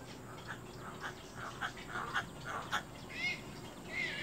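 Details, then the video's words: Little egret chicks fighting: harsh, raspy squawks repeated about twice a second, ending in louder rising squeals, over steady background hiss. "little egr baby birds fight"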